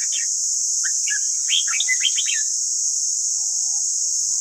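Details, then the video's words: Red-whiskered bulbul training song: a few short whistles, then a rapid run of bright, bubbling notes, followed by quiet and a steady high hiss. "Luyện giọng chào mào ép bổi ép má trắng"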